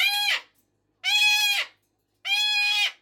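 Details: Early-rising pet cockatoo, recorded at 5:15 AM or 5:15 PM, gives three piercing, flat, harmonic-rich screams about a second apart, each ending with a slight downward slur.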